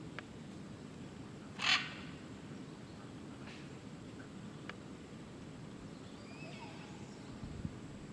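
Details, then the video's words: A great green macaw in Tortuguero, Costa Rica, gives one loud, harsh, raucous squawk; faint distant bird notes follow over a steady low rumble of wind or surf. "Great Green Macaw"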